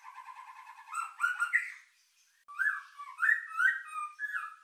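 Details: Rich-filled lure song of a white-rumped shama, meant to spark emotion and breeding drive: lower mellow whistled phrases, a short silence, then rolling, warbled whistles and a final sharp note.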